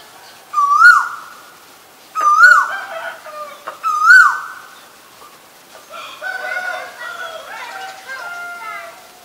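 Asian koel giving three loud, clear rising 'ko-el' notes about two seconds apart, followed by softer chatter and whistles from other birds.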